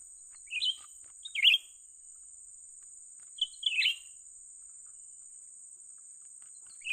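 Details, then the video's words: Young Grey-bellied Bulbul heard while trapping birds: three short chirpy bursts of two or three notes in the first four seconds, then quiet apart from a steady high hiss. "memikat burung cucak ranting muda mantap"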